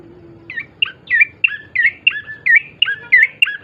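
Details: Energetic bar-winged prinia song used as a lure for birds to sing quickly: repeated sharp chirps, each sliding downward, roughly three a second, rising in loudness after a quiet start.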